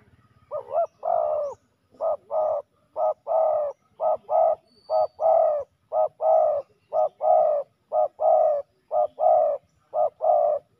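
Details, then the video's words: Spotted dove males clashing at a ground decoy, calling fast: short and long hollow coos alternating about once per second in a regular run, a low hum at the start. "ต่อดินนกเขาใหญ่ ตีกันยับ!!"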